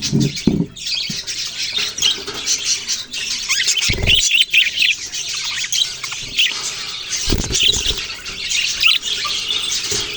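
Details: Budgerigar chatter: busy, overlapping high chirps and squawky warbles, with a few dull low thumps early on and again near the fourth and seventh seconds.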